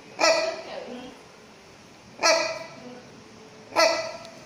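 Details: Rhinoceros hornbill of the subspecies silvestris, captive at Chester Zoo, giving three loud, harsh, nasal honks with rich harmonics, spaced about every one and a half seconds, with quiet gaps between.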